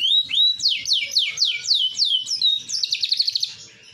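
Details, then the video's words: Green AFS canary of large build singing clear, descending swept whistles in an even series, then breaking into a rapid pulsed trill that fades out. "Kenari Afs Bigsize Gacoorr dorr"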